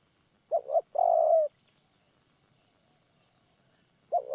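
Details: Spotted Dove cooing in the morning while a caged decoy dove is used to lure wild doves; one full phrase of short doubled note plus long falling coo, then the next phrase begins, over a steady high whine.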